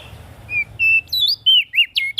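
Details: Ashy prinia calling as a lure for small birds, a series of short whistled notes, some flat, some sliding up and down, given in quick succession.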